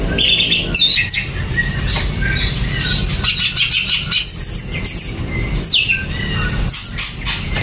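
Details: Greater green leafbird singing in gerabakan style: quick, varied high whistles and sliding notes, bright chirps and short trills over a steady low hum and background noise.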